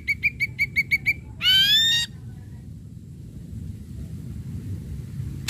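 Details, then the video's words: Ashy Drongo in lively song intended to stimulate other drongos: a quick even series of about seven bright ringing notes, followed by one strong upward-sweeping harmonic whistle, then quiet. "Srigunting Abu Abu Gacor"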